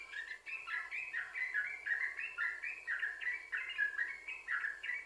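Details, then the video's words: Lively, unbroken flow of liquid, warbling notes from a yellow-vented bulbul, stepping up and down in pitch, played to draw other bulbuls into song. "Trucukan Gacor, Sambung Ropel,Ini Ampuh Buat Pancingan Trucukan Agar Bunyi"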